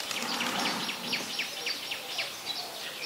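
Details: High, quick chipping notes from an olive-backed sunbird in mangrove forest at the Sirinart Rajini centre, each note a short downward slur, repeated about four times a second against a hiss of background noise.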